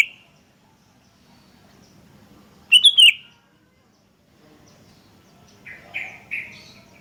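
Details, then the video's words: Sooty-headed bulbuls answering one another: a loud, chattering whistled phrase of three fast notes, then after a pause three softer, lower, slurred notes, likely a second bird further off. "Suara PIKAT Burung Kutilang GACOR Bersautan || Suara Masteran Kutilang Terbaik"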